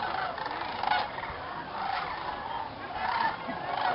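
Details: Wild sandhill cranes gathering by the thousands at dusk before night roost in the swamp, Jasper-Pulaski State Fish and Game Preserve, Indiana; steady chorus of rolling, trilled trumpeting calls swelling in loudness toward the end.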